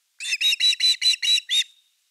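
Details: Osprey at a live-camera nest on the evening of 30 August 2021, around an evening fish delivery: a loud series of seven harsh, whistled chirps, evenly spaced, the last one trailing into a thin fading whistle.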